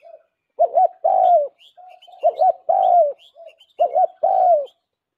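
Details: Spotted dove calling as a lure: three clear phrases of two short coos followed by one longer falling coo, soft low notes between phrases; scattered faint high chirps.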